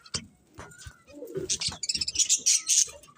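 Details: A few soft knocks, then budgies break into quick, high squeaky chirps and chatter over the second half.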